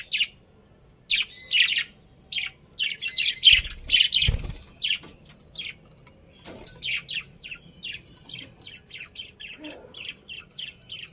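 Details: Budgies chattering at home, a rapid run of bright high chirps and scratchy warbled notes, some harsh squawks and a brief loud rustle midway, then steady quick repeated chirps.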